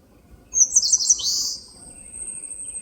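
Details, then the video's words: Eastern crowned warbler singing in a forest on the slopes of Palbongsan, Seosan: a bright, high phrase of about four quick repeated notes followed by a descending buzzy slur, with a thin high insect-like tone continuing afterward. "산솔새가 노래하는 숲! Eastern Crowned Warbler sings!"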